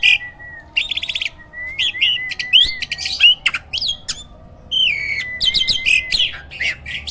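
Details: A hybrid myna (jalak) kept caged as a master tutor so other songbirds copy it. Varied phrases mix buzzy rattles, sharp clicks and clear whistled slurs, broken by short gaps and occasional harsh squawks.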